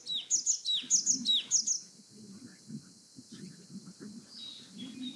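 Japanese tit singing three quick high two-note 'tsu-pi' phrases in under two seconds, then a low murmur of voice and background sound.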